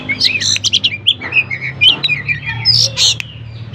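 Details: Oriental magpie-robin in full, lively song, used as a lure to provoke other magpie-robins that rarely sing into answering; rapid varied whistles, chirps and short slurred notes, high-pitched and densely packed, with a faint low hum beneath.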